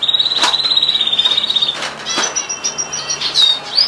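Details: Canary song with a long, even rolling trill in the first half, followed by scattered higher whistled notes and short rising slurs, with some clicks and rustling noise behind.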